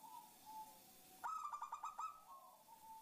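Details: Zebra dove, a female calling to the male, used as a lure for other zebra doves: a soft, steady tone, then a burst of about seven quick, bright, bubbling notes, and a soft tone again.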